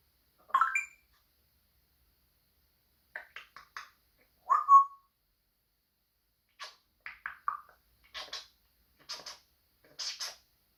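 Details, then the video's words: Pet African grey parrot indoors making noises: scattered short clicks and chirps, a clear whistled note with a rising upward flick, then a series of quick clicking and ticking sounds. "African grey makes noise"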